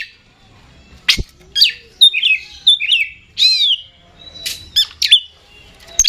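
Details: Oriental magpie-robin, called kacer, in vigorous 'super gacor ngeplay' song as kept by hobbyists. Bursts of sharp whistles and slurred, warbled notes follow one another after a quiet opening.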